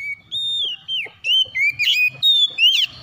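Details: Oriental magpie-robin calling in the morning: a fast string of clear, loud whistles, some held flat, others slurred up or down, mixed with brief harsher buzzy notes and faint low background rumble.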